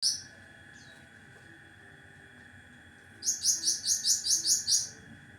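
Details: Cucak ranting giving a sharp burst of song: one brief high note, a pause, then a fast run of about nine piercing, evenly spaced chirps, bright and high-pitched, over a steady faint background hum.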